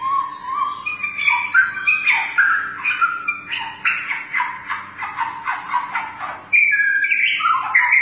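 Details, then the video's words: Long-tailed white-rumped shama delivering rapid song while bowing repeatedly, in a saluting-the-judges style. Quick runs of warbled, slurred notes step up and down in pitch, then turn to a brighter whistled phrase near the end, over steady background hum. "Murai batu nembak sambil sujut sujut istimewa"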